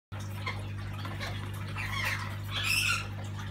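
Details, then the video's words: Kakariki (New Zealand parakeet) chicks in a panic give harsh, squawking bursts, loudest near the end, over a steady low electrical hum. "Kakariki chicks get in panic"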